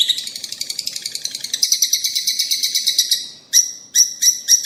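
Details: Chattering of rosy-faced and Fischer's lovebirds, sound meant to stimulate pairs to mate and breed: a fast, steady stream of scratchy chirps several per second, then a few louder, piercing squeaks.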